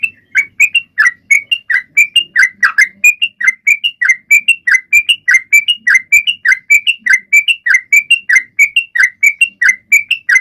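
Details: Long unbroken stretch of Sooty-headed bulbul song, used to encourage other, silent birds to sing: rhythmic paired notes, a higher clear whistle answered by a lower bubbly chirp, repeated for ten seconds.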